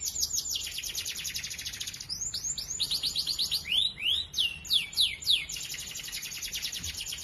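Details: Canary singing in the morning to encourage silent canaries: a fast buzzy trill of repeated notes, then louder, slower, deep-swooping whistles in a varied sequence, about three per second, before a high rapid trill resumes.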